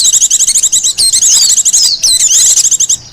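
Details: Wild Japanese white-eye song for luring and tutoring other birds, a fast unbroken run of high, thin chattering notes mixed with quick downslurred whistles, barely pausing across three seconds.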